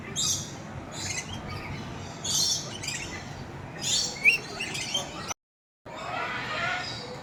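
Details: Red lory calling: repeated harsh, noisy squawk bursts roughly every second, with a brief sharp whistled note among them, over a steady hiss of background noise and a short silent break.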